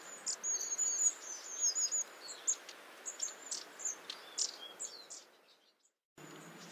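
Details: High, thin, tinkling calls of a Long-tailed tit in quick irregular series over a broad hiss, fading after about five seconds before the sound cuts out briefly.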